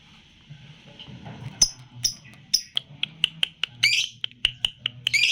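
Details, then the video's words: Three-month-old lutino lovebird in 'jeda rapat' singing style: a thin steady tone overlaid by a quickening series of sharp clicks and short squeaky chirps, with a low hum in the background. "LOVE BIRD PAUD LUTINO MM USIA 3 BULAN JEDA RAPAT"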